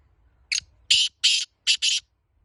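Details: Laka breed black francolin, locally kala teetar, delivers a loud rasping phrase: a brief first note, two drawn-out buzzy notes, then two rapid ones, with near silence around it.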